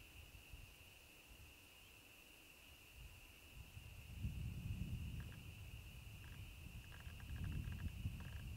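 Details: Bittern giving its onk-a-chonk or gulping-water call: two deep, low booming bursts in the second half, over a steady high insect drone and faint ticking.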